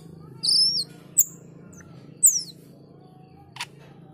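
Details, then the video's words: Male cucak keling singing energetically, putting its song together: a few brief high whistled phrases, the first rising and the later ones falling, with sharp chips between them and long pauses over a low steady hum. "Cucak keling jantan gacor menyusun lagu"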